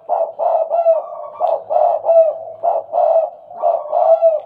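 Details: Tame spotted dove, known locally as tekukur, calling often in stuttering 'gagap' fashion: a near-continuous run of choppy, husky coos, stuttered notes linked by softer trailing tones.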